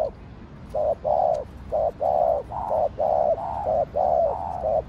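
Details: Spotted dove giving kích bổi cooing meant to excite other doves: a steady run of short and longer mellow coos, several per second in a choppy, rolling rhythm, with no other clear sounds.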